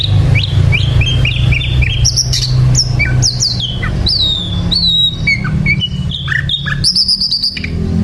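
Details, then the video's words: Sikatan londo flycatcher in full, lively song: quick series of high whistled notes, some rising, some falling, with sharp chirps and slurred phrases mixed in, above a constant low droning hum. "sikatan Londo gacor"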